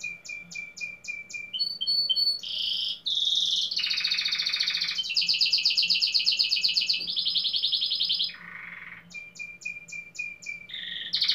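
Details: In a Pelotas, Rio Grande do Sul singing contest, a domestic canary (Belgian canary, fibra style) gives evenly spaced clipped chirps, then long loud buzzy and rattling rolls, a lower trill, and a return to spaced chirps.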